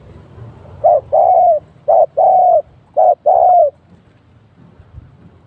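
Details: Spotted dove used as a decoy during trapping, cooing to draw in wild doves; a pair was caught. Three low coo pairs, each a short note then a longer, slightly falling coo, followed by quiet rural background.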